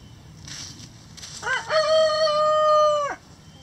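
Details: Rooster in a farm chicken coop crowing, short rising notes leading into a long steady held note that breaks off sharply, over quiet background clucking.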